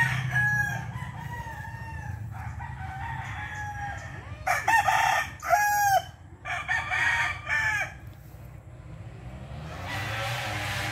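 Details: Rooster described as a Hennie gold, at a friend's place, giving broken crowing phrases mid-recording: several short, harmonic bursts with a rising then falling pitch, over steady low background rumble and a burst of noise near the end.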